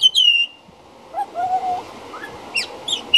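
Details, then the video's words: A juvenile pied butcherbird singing outside a back door: clear fluted whistles, a high sliding opening note, then low mellow phrases and a few bright rising notes to close. "Pied Butcherbird Singing"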